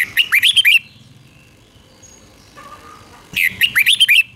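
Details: Red-whiskered bulbul giving a 'double' song phrase for copying by young birds: a quick run of bouncy, whistled chirps, a pause with a faint hum, then the phrase repeated.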